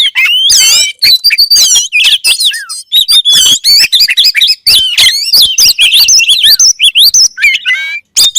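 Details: Kacer, the oriental magpie-robin, singing an intense string of high rising and falling whistles, sharp clicks and trill-like bursts, rhythmically repeated with short gaps.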